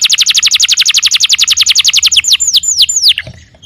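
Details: Canary in 'gacor' song: a long, even, rapid trill of high falling notes, nearly nine per second, slowing into a few long swooping downslurred whistles before the phrase stops abruptly.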